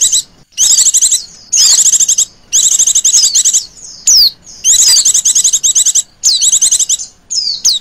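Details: A female Oriental white-eye keeps up a trilling call meant to lure birds. Nearly continuous bursts of rapid, high, chattering trills are mixed with thin falling notes and brief pauses between them.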